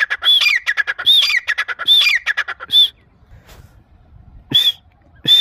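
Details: Grey francolin (teetar) calling: three harsh rhythmic phrases with a high whistled note and rapid grating stutters, a lone note, then a gap with faint background before two further high notes.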